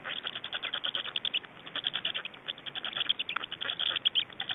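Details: During nest change-over and feeding, Black storks in Estonia on 24 May 2012, evening: long runs of rapid harsh pulses, chattering almost without pause, peaking near the middle.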